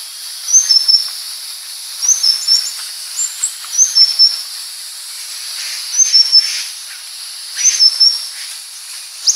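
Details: High, thin whistled phrases from a purple-throated sunbird (Leptocoma sperata), a brief upward note followed by a lower flat one, repeated roughly every 1.7 seconds against a loud steady hiss.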